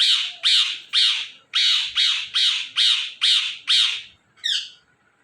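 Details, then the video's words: Indian ringneck (rose-ringed) parakeet giving a fast series of nine harsh, screechy squawks, about two a second, then a shorter, higher squeak. "Ringneck Parrot Chirping And Making Natural Sounds"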